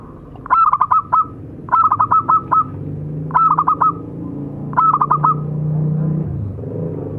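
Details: Local zebra doves, a male and a female, in song. Four evenly spaced phrases of five fast staccato coo notes, roughly every one and a half seconds, over a low mechanical hum.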